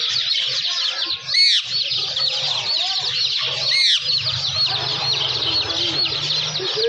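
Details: Indian ringneck parakeet talking: a rapid, continuous stream of curving, squawky high-pitched syllables, broken by two louder sweeping notes near the second and fourth seconds, with a faint low hum underneath.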